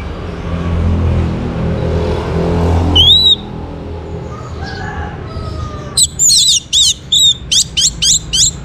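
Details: Orange-headed thrush singing, played to coax other birds into song: a single bright whistle, a quiet pause, then a fast run of about eight sharp, ringing notes. Low humming background noise throughout.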